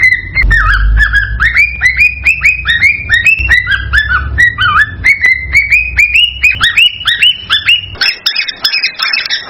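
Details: Excited male cockatiel singing to stimulate a female to breed: rapid series of rising whistled notes, about two per second, each sweeping up then dropping, with a low rumbling background early on.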